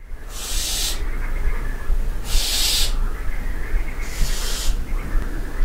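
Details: Barn owls calling at night in a castle dovecote at Barbirey-sur-Ouche: three harsh, breathy hissing screeches, each under a second, spaced about two seconds apart, over a steady low rumble.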